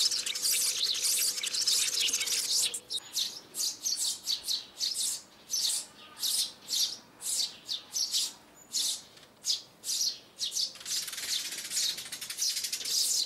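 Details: Sparrow calls from January 2021, call-in and landing calls played through a speaker to lure sparrows into traps: dense, bright chatter breaking into sharp, high chirps about twice a second, then thickening into chatter again.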